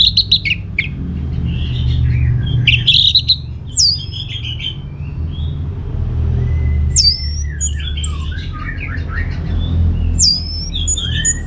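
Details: Orange-headed thrush in full, vigorous song, played as a lure to draw answers from other birds: high, varied whistles and squeaky notes in clustered bursts, with a few sharp rising phrases, over a steady low hum.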